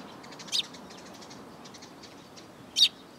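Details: Eurasian tree sparrows approaching people to be fed along the front approach of a Tenmangu shrine, 10 April 2022; two short high chirps about two seconds apart over faint background hiss.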